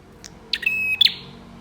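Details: Bar-winged prinia lure song for prompting other prinias to sing: a single short, buzzy, strained phrase holding one high tone and ending in a sharp double crack, over faint low hum.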